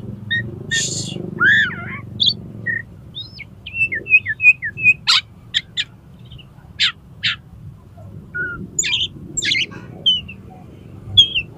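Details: Tail fanned, an Oriental magpie-robin challenges a rival to fight with a rich flowing song: slurred whistles, rising and falling notes, harsh broadband bursts and crisp chips in a dense run, with low hum underneath.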